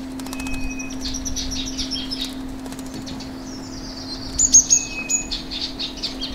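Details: Male chestnut-bellied rock thrush (Monticola rufiventris) giving quick, high chirps and thin whistled notes in loose bursts, over a steady low hum.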